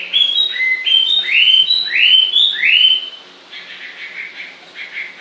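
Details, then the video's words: Bird sings a string of clear, rising whistled notes in quick succession for about three seconds, followed by softer, scratchy chatter fading at the end. "Con chim hót suốt nghe mát ruột"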